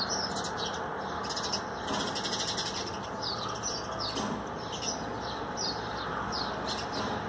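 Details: A Common Tailorbird (Orthotomus sutorius), bathing on freshly watered trees and shaking its feathers on 13 April 2020, gives short, high, sharply falling notes about twice a second over a steady rushing hiss.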